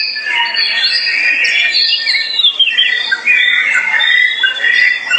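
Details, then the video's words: An albino Oriental magpie-robin in a vocal test sings a loud, unbroken stream of rich whistles and quick warbled phrases, rising and falling in pitch with no pauses. "KACER POCI ALBINO/ Magpie Robin TES VOKAL/Copsychus Saularis"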